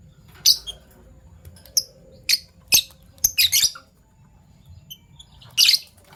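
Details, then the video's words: Violet and gold opaline Fischer's lovebirds in the morning give scattered squeaky high chirps, a few rough double notes and one louder scratchy burst at the end, over a soft low hum. "Lovebird Chirping Sounds"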